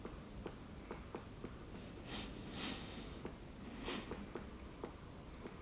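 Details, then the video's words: Great spotted woodpecker tapping at a pine cone on 28 February 2022: sharp, dry knocks at an irregular pace, roughly one or two a second, with soft breathy rustles between. "Dzięcioł duży puka w szyszkę"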